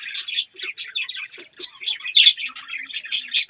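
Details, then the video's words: Budgies chirp loudly and near, quick high squeaky notes and harsh chattering squawks tumbling over each other. "Budgies chirping sound"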